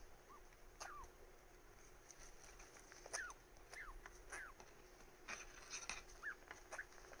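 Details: Pet cockatiel feeling briefly dominant over a companion bird that usually chases it; a series of short, clear, downward-slurred chirps, about nine scattered over seven seconds, with faint clicks and taps between them.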